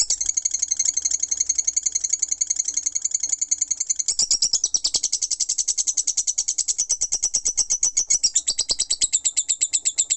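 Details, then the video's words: Continuous ngekek chattering of a lovebird: piercing, tightly repeated high notes that speed up and thicken after the first few seconds, then carry on without any break. "Love Bird Ngekek 5 Menit Non Stop"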